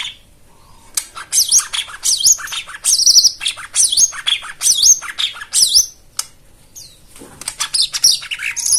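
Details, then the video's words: White-eye song used as therapy to prompt silent caged birds to sing: dense, fast chattering bursts of high, sharply rising and falling notes, packed in phrases after a quiet opening second, with brief pauses between. "Spesial Untuk Jomin dan Macet Bunyi Isian Mewah"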